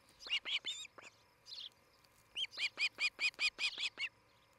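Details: Morning at an osprey nest in Charlo, Montana, July 2018: a few scattered high cheeps, a brief pause, then a loud burst of about nine clear whistled chirps in quick succession.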